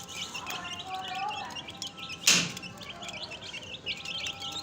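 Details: Young chicks peep in a high, thin chorus of quick falling notes. A sudden loud bang interrupts partway through before the peeping carries on.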